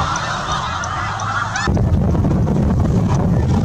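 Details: Migrating snow geese heading south with their young of the year, seen in the evening near Winchester; a thick chorus of honking from a large flock, then loud wind rumble on the microphone drowns much of the second half.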